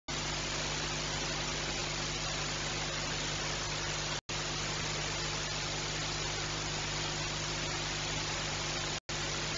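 Steady broadband hiss and static with a low hum, broken by two brief dropouts to silence; no animal voice is heard.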